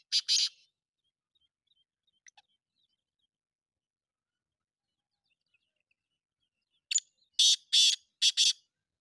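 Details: Black francolin (kala teetar), a bird offered for sale, giving harsh, rasping broadband notes: a short burst at the start, then a long quiet gap, then a quick series of four to five grating notes near the end.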